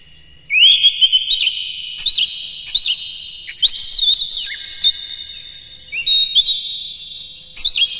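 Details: White-rumped shama singing as a lure to provoke other shamas: continuous whistled song with sharp upward slides, clicks and looping high notes, phrases following each other closely.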